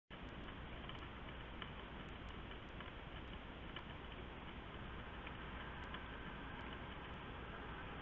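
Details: Constant quiet hiss with scattered faint ticks and clicks, and no animal voices.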